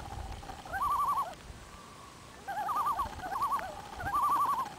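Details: Five common loons singing on a fall morning at Bob's Lake, Ontario. Their wavering, quavering tremolo calls come in bursts of about half a second, some overlapping, over quiet low background noise.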